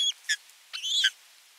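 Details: Osprey at nest 3 on 27 June 2022 after bringing a fish: a brief burst of high, shrill whistled notes, one drawn out and slightly rising, with short chips between.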